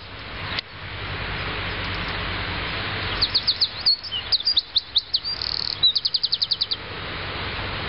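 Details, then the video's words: Eurasian wren singing, the song ending in its characteristic rapid prrrrt trill: a burst of very high, fast chattering notes and short trills, closing with an even run of about ten clipped notes, over a loud steady background hiss. "Winterkoning aan het zingen"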